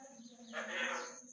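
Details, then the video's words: A parrot trying to talk: one brief, hoarse, speech-like utterance that swells for about half a second and fades, over a steady high whine. "Trying to talk 🦜"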